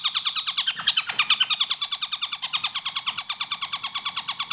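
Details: Long-tailed shrike in gacor style with a fast, tight pace, given as a training recording for other birds: harsh, rasping notes repeated about three times a second in a steady, unbroken stream.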